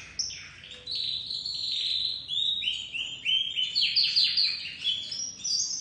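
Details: Crested white domestic canary chick starting to sing, delivering a bright, varied warble of quick trills and twittering phrases at high pitch with little background noise.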